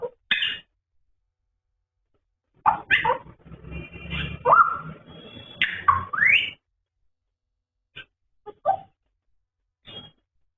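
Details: African grey parrot talking and vocalizing. Bursts of whistled rising and falling tones mixed with harsh, nasal, speech-like sounds fill a busy middle stretch. Sparse short chirps and clicks follow with silence between them.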